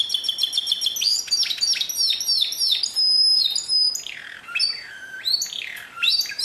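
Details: Pure canary song, recorded in 2016: fast repeated trills around the upper range, then sustained high whistled notes and sweeping descending slurs, loud and continuous.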